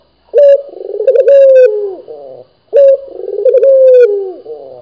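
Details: Local Indonesian Barbary dove (puter) in full voice: a loud, steady mid-pitched coo with a rapid throaty rolling flutter, ending in a falling slur, given twice about 2.5 seconds apart in a quiet room.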